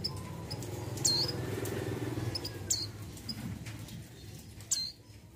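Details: Female mountain white-eye, in breeding condition, calling the male with three high falling squeaks spaced about two seconds apart, partly masked by a noticeable low rumbling noise.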